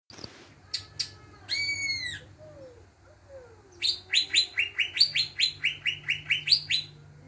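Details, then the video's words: Greater green leafbird song used as a lure to make other birds sing: a burst of harmonic notes, then a fast series of rising, chirpy phrases repeated about twice a second, with a low steady hum beneath. "pancingan cucak ijo bahan, pasti bunyi"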